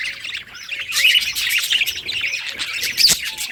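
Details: Budgerigar singing happily in a rapid chatter of bright chirps and grating squeaks, with a louder shrill note near the end of this short burst.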